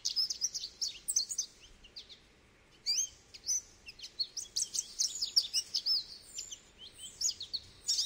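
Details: Long goldfinch song of tinkling high chirps and trills, a short gap near two seconds, then an intense twittering stream.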